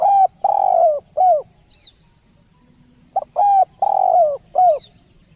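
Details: Spotted dove coos offered as a lure, two matching phrases: a sharp pip, a level coo, a longer vibrating coo and a downward-sliding coo. Between them are a quiet pause and a single high squeak from another bird.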